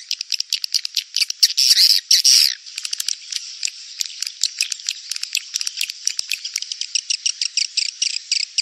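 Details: Edible-nest swiftlet rainy-season mating lure: a fast, busy stream of sharp high chirps and clicks, with a brief loud buzzy chatter early on, then steady twittering.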